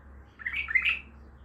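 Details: Brief, bubbling bulbul phrase of rising and falling whistled notes, Baghdadi style, set against a quiet low hum.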